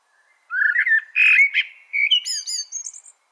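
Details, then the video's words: Melro preto blackbird singing a continuous whistled phrase: low rolling notes, a loud burry middle section, then a series of thin high descending whistles at the end. "CANTO DO MELRO PRETO"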